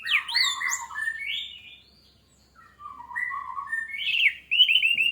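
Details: Song of an orange-headed thrush meant to trigger singing in other birds: fast jumbled whistles and sweeping slurs, a short pause, then lower warbles and rising trilled phrases.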